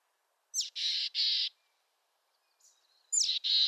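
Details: Mountain chickadee from western North America giving a call: thin high introductory notes followed by two broad, buzzy, harsh dee notes, a short pause, then another high note and two more buzzy dee notes, with a faint note between.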